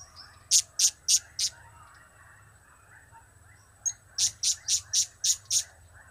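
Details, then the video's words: Blue-crowned hanging parrot calling cap-cap, kiak-kiak or crap-crap: a fast run of four piercing high clicks, a pause, then a brisker series of seven sharp notes, with low background hum. "Trio Cap²/Kiak²/Crap² Semakin Gacor"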